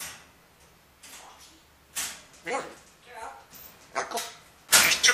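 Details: Two pet grey parrots in a morning chat, one with a baby-like voice often heard in the background commenting on the other; short speech-like bursts of talking come in quick, uneven bursts, growing louder toward the end.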